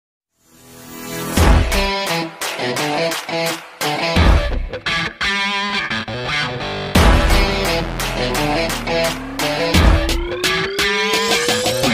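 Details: Guitar-driven music with plucked strings and electronic effects fills the whole clip, with no animal voice heard.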